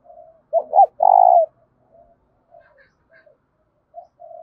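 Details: Spotted dove challenging with a loud, resonant coo: two hooked rising notes then a long pulsing buzzy coo, followed by faint soft coos and a few distant chirps.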